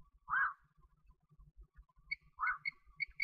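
A common quail hen gives two soft, husky mid-pitched notes about two seconds apart, with brief higher chirping after the first and faint low thumping in the background.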